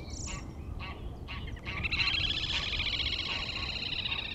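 Reed bunting singing: a few short, spaced chirps about every half second, then a longer buzzy, rattling phrase. A steady low rumble of wind runs underneath.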